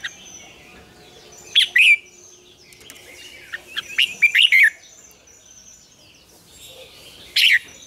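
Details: Red-whiskered bulbul singing a double-note morning song for training other birds: short bright whistled phrases separated by pauses, one cluster of quick rising notes in the middle, faint birds in the background.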